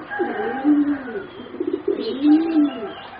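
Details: Two arched low coo phrases from young competition singing zebra doves, four birds about 3.5 to 4 months old, each note swelling and falling, separated by a short burst of quicker rolling notes.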